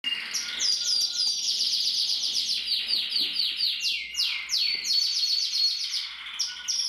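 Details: A male Harlequin canary sings continuously, with fast rolling trills and quick downward-sliding notes repeated several times a second, high and bright throughout. No other sounds are heard. Finding: Canary.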